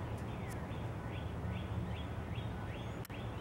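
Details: Goslings at Joseph Tribble Park give a run of thin, high peeps, each sliding downward, repeated roughly every half second, over a loud, steady low rumble of background noise with a sharp click near the end.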